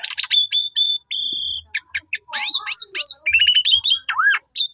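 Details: Lure song of a black-collared starling used to trigger replies from others: choppy whistled notes, two long steady high whistles, jumbled chattering phrases and a deep down-slurred whistle near the close.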